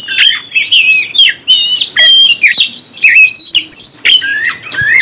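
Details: Oriental magpie-robin singing to stir other birds: clear whistled notes and quick slurs, many rising or dropping sharply, in short bursts about a second apart.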